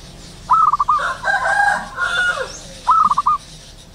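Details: Zebra dove in the wild at morning: a rising note and stuttered coos, then a rooster's drawn-out crow, then the dove's cooing phrase again.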